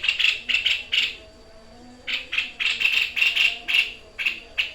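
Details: White-chested babbler used for training birds, singing in the 'tembakan maut' style: clusters of dry, scratchy rattling notes in quick runs, a brief pause, then more rapid rasps.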